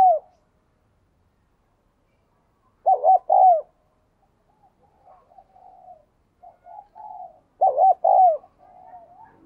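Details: Spotted dove singing in the 'giọng đồng kim' style, also called 'giọng đồng chuông', described as resonant: two loud phrases of arched, hollow coos, each a quick double note and a longer falling one, with soft murmured notes between.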